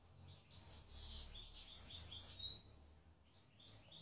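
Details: Calm European goldfinch singing a continuous stream of high, liquid twitters and trills that swell and fade over four seconds, with a low background rumble throughout.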